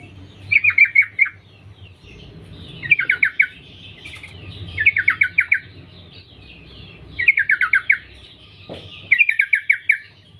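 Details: Sooty-headed bulbul female calling for males: five bursts of four to six rapid, downslurred chattering notes, spaced roughly two seconds apart, over a low steady hum.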